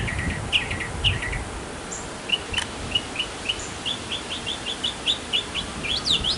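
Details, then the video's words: Male mockingbird singing in a backyard to attract a female: varied high phrases, each note type repeated several times in quick bursts, shifting from buzzy double notes to clipped chirps, over faint low rumble. "Mocking Bird 200 Sounds to Get the Girl!"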